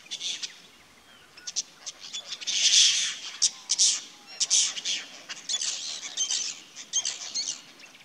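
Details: A social flock of apostlebirds in the Australian bush, coming to drink at a small creek, chatters with harsh, raspy, scratchy notes and rapid chirps every second or so, several birds overlapping at high pitch.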